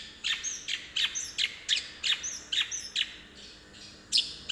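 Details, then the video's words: Long-tailed shrike (cendet) in full voice, giving the sparrow-like 'gereja tarung' fighting chirps: loud, sharp, high chirps repeated roughly every half second in a steady series, with a faint high squeak between some notes and a quiet background. "Cendet suara gereja tarung gacor"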